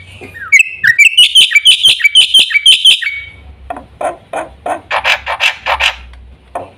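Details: Black-winged myna delivering a rapid run of bright, ringing chirps for about three seconds, followed by quieter, rougher, scratchy notes with a low background hum.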